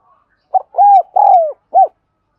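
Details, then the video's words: One clear phrase from a spotted dove, kept for training birds' voices and luring: brief opening note, two longer smooth, low coos, one falling away, and a short closing note. "Tiếng chim cu gáy dùng luyện giọng chim bổi và mồi chuẩn nhất"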